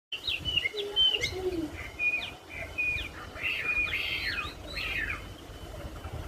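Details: A wambi recorded on Friday 7 March at 15:55 sings a varied run of short whistles, slurred chirps and a few lower warbled notes, steady for about six seconds over a faint background hum.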